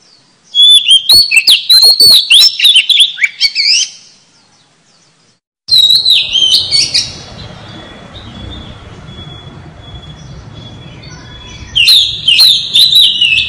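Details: Lure song of an oriental magpie-robin: rapid bursts of varied whistles and chips, a silent gap, a short phrase over steady background hiss with a thin held tone, then another quick burst.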